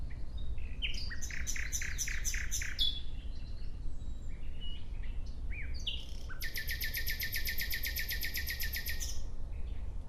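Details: Nightingale song with two strong phrases: a first series of punchy, evenly repeated notes, a pause filled with scattered chirps, then a long, fast, buzzing trill of many identical notes lasting about three seconds. Steady low hum underneath.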